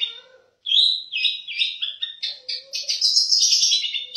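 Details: Kept Long-tailed shrike whose mimicked song starts after a short silence with a loud whistle, then builds into a rapid, rising chatter of high twittering notes.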